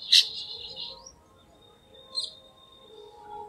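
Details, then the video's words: A chestnut-tailed starling gives a sharp, high squeaky note trailing into a thin sustained whistle, then a second brief squeak about two seconds later. "Chestnut-tailed Starling Call"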